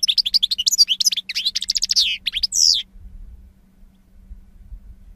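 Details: Goldfinch singing, 2016: about three seconds of rapid, tinkling twitters and sweeping whistled notes, ending in a buzzy phrase, then quiet with only soft low rumbling.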